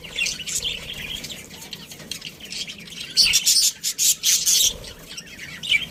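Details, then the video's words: Colony of breeding budgerigars giving rapid, buzzy high-pitched chatter, with several louder squeaky bursts clustered near the middle. "Cute Budgies Chirping Sounds"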